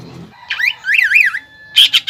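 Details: Greater green leafbird delivering 'nembak ngekek' song meant to provoke and lure young birds; a brief wavering, warbling whistle swoops up and down, followed by two or three sharp high chirps.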